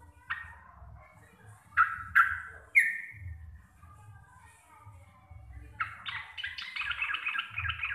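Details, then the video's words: Chattering song of a local Javanese sooty-headed bulbul, loud and clear: several harsh falling bursts, a lull, then a sustained run of rapid jumbled ropel notes. "TRUCUKAN GACOR RECEH DURASI PANJANG"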